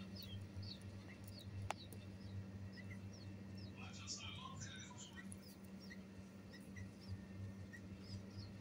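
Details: Common bulbul chicks being fed give thin, high begging chirps about twice a second, briefly rising into a busier burst, over a steady low hum.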